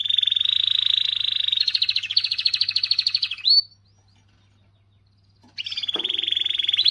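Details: Canary singing a strong song meant to stimulate females: a dense, fast trill near the upper range, shifting into a slightly higher rolling phrase and ending in a short rising note. After a pause of about two seconds, a fresh trill begins.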